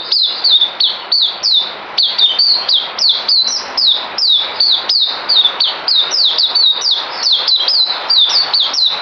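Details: Caged songbird kept by a breeder, recorded 9 December 2018 before deworming; a rapid, continuous run of bright, down-slurred whistled notes, several per second, with no other sounds.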